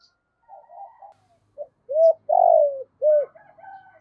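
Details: A spotted dove kept as a decoy to call wild birds. Soft low muttering leads into a four-part coo: a short note, an upslurred coo, a long falling coo and a last arched coo, followed by quiet murmurs again.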